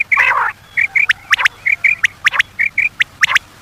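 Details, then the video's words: Quail sounds for luring birds at night: a brief nasal burst, then crisp short notes paired in quick doublets and triplets, repeated about every half second in a steady run. "batair ki awaz for night batair ki new awaz 2023 بیٹر کی آواز صبح شام کے لیے"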